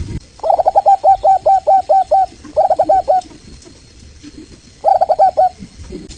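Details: Zebra dove of the local Indonesian variety (Geopelia striata), played as a lure so other doves reply: clear, rapid bursts of short, rolling coos, about eight notes, then two shorter bursts after pauses.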